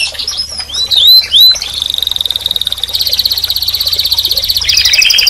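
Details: Canary song that opens with a few short upslurred whistles, then shifts into long fast rattling trills, buzzy and mechanical, held for several seconds with a change of pitch near the end.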